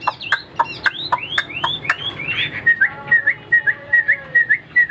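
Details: Tame caged Chinese hwamei singing alone, with the female kept out of sight far away: loud rising slurred whistles repeated every quarter second, then a run of short, sharp, even whistled notes.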